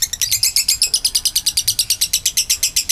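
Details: Lovebird in extended ngekek, a long trill meant to lure other lovebirds into singing; dense, evenly spaced, high chattering pulses run continuously throughout.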